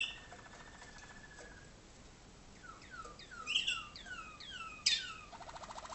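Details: Waterslager (malinois) canary song from tutor birds for young birds hatched in 2011 in North Canton, Ohio, USA, kept in training cages in a darkened room: a soft trill, then a series of falling whistled slurs, ending in a fast buzzy roll.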